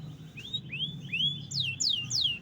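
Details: Canary song fragment of rising slurred whistles followed by quick descending sweeps, clear and high over a low background rumble.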